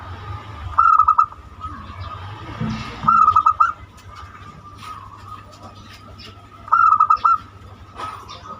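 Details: Zebra dove of the banyumili type, its song used as a lure to start other birds singing: three clipped, stuttering coo phrases, each of four or five notes, with soft clicks and a steady tone between.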